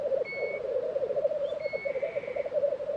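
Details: Brief moment at a black grouse lek, Tiveden, Sweden, April 2023: a low, throbbing bubbling with two long thin whistles from another bird above it.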